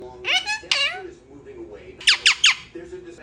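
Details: Pet Indian ringneck parakeet, male, indoors, speaking learned phrases such as "What you doing?". A high, squeaky, speech-like voice with slurred harmonic syllables is followed by three sharp, clipped squawk-like notes in quick succession. Room echo is audible.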